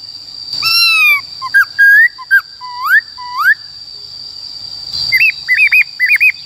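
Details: White-cheeked laughingthrush, a caged bird, sings the forest 'Bao Phê' voice for training young birds: loud whistled upslurs and looping notes, then a short pause and a run of rapid bouncing whistles, with a constant high tone behind.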